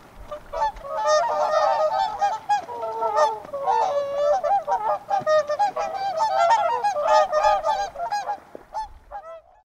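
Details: Several whooper swans calling together, a dense, overlapping chorus of trumpet-like nasal honks that builds and keeps going for nearly ten seconds before tailing off into a few final notes.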